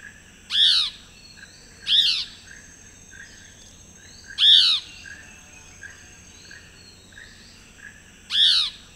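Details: Chestnut-backed Antbird in Costa Rica giving four loud, short downslurred whistled notes, spaced roughly two to four seconds apart, over a steady high insect whine.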